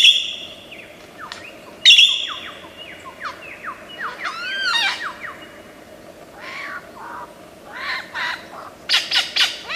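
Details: Lyrebird, an Australian forest bird known for copying other sounds, delivering a varied medley: a loud buzzy burst, cascades of falling whistles, arched looping notes, then harsh rasping bursts and clicks toward the end.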